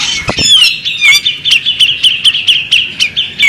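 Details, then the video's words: Female bearded magpie robin: a short burst of harsh notes, then a steady series of sharp whistled chips repeated about every quarter second. "the alluring sound of a female bearded magpie robin"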